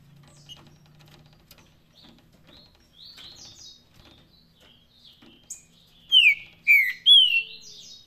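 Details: Green-winged saltator singing in the Paraná song style: faint scattered chips, then three loud, clear, down-slurred whistles in quick succession near the end, with a low hum at the start.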